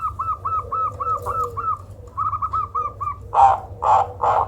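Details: Zebra dove calling in a way said to be ideal for luring birds: two rapid runs of small arched cooing notes, then three loud harsh bursts, over a faint low hum.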